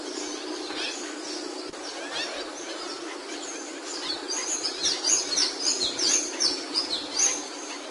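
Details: Singing capuchino seedeater, its high thin notes and short slurred phrases rising out of a constant hissing background in the second half, grouped in a fast irregular sequence.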